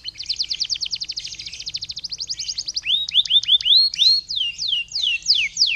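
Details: Canary singing to trigger other canaries: a long, very rapid rolling trill for nearly three seconds, followed by a series of rising whistled slurs and then sweeping downward notes.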